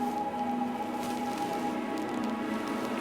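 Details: A steady, even hum of sustained tones with faint crackling patter and no animal calls.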